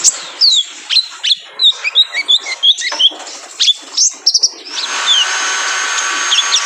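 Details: Male olive-backed sunbird (konin) singing as a training lure for cage birds. It gives a lively run of sharp, high chirps and slurred whistle notes for about four seconds, then a steady hiss takes over.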